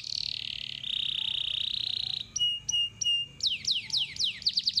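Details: Singing canary heard as a lure for trainee birds to sing quickly with long rolls: extended buzzy rolling phrases, three short clipped notes, then a run of steeply descending slurred whistles.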